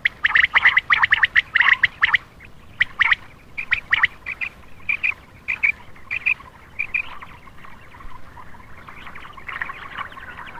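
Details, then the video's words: Night-time common quail call used as a lure for males. It opens with a fast run of sharp repeated notes, then the bursts grow sparser and fainter, leaving scattered weaker notes over a steady background hiss. "Attractive common quail for male part 6/ Batair Ka Bulara rat Ka lea"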